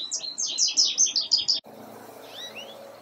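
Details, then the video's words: Singing American goldfinch at window-box cosmos flowers gone to seed: a rapid burst of high, tumbling twitters lasting about a second and a half, then a faint rising note amid low background hum. "Chardonneret, chant / Goldfinch, song"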